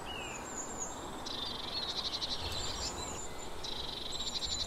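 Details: Eurasian blue tit giving buzzy, churring scold phrases, dry rapid trills repeated in bursts, with thin high whistles from other small birds and a steady outdoor background hiss.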